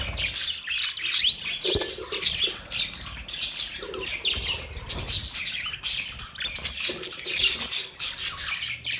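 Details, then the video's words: Budgerigars, Australian parrots, giving a mating sound: dense, continuous high chattering and squawking with overlapping chirps and short warbled bursts, several birds calling together without pause. "Budgies matting sound"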